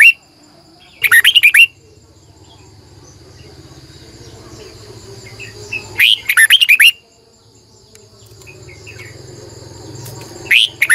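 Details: Red-whiskered bulbul decoy singing at morning, 2020, strained long double-voiced style meant to call wild birds. Three separate bursts, roughly five seconds apart, each a tight cluster of loud whistled, warbling notes, with a low hum between bursts.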